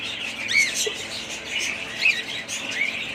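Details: Budgerigars chirping: a few clear, upward-curving whistled chirps stand out over soft background twittering from other birds.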